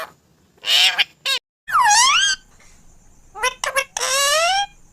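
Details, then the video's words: Parrot talking: short, clear, word-like vocal bursts with rising and falling tones, separated by brief pauses, ending in a longer drawn-out phrase. "Parrot talking"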